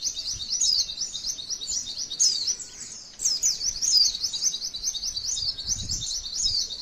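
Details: Long 'mantenan' shooting song by a female white-eye, meant to provoke other white-eyes into song: a high, rapid, chattering stream with sharp down-slurred whistles, a brief softening near three seconds, then continuous trilling.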